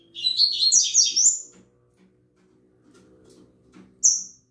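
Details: Kept double-collared seedeater singing at the start of the morning: about a second and a half of rapid, scratchy warbled phrases, a quiet pause with low room hum, then one bright high chip.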